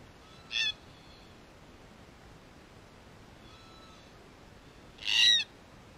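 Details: ['Red-tailed black cockatoos, a wild Australian group investigating and wrecking a hidden camera: two loud, short grating screeches about four and a half seconds apart, with fainter, drawn-out nasal calls from birds farther off in between.']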